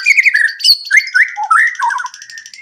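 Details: Prompting song of a white-rumped shama, meant to make other birds start singing and show their learned fills. Rich whistled phrases swoop up and down, with a brief rapid buzzy trill near the end.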